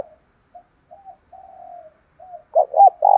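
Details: Spotted dove lure call for provoking a fight: quiet scattered coos and a soft drawn-out note, then a sudden loud phrase of two rough coos leading into a long throbbing coo.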